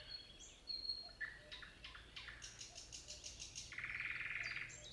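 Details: Common nightingale song: thin high whistles, then a run of quick, evenly spaced clicking notes, ending in a dense rapid trill at mid pitch. A faint low hum sits underneath.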